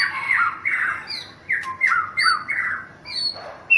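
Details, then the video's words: White-rumped shama, a young forest-caught bird, repeating harsh descending squawky notes roughly every half second, interspersed with short high whistles, in a small indoor space. "Murai Juara nasional di thailand"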